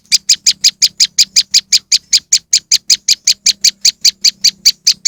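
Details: Moss wren lure recording: clipped, high-pitched chirps repeated rapidly and evenly, close to three per second, without pause, over a faint low hum.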